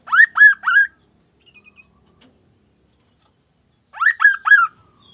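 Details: Sunda laughingthrush (kaso-kaso) singing energetically in an unusual way: a quick phrase of three rich, arched whistles, a few faint clicks, then the same three-note phrase again after about three seconds.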